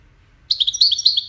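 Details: European goldfinch of the Wiidani type: after half a second of quiet, a brief burst of high, fast twittering notes, bright and chattery, lasting under a second.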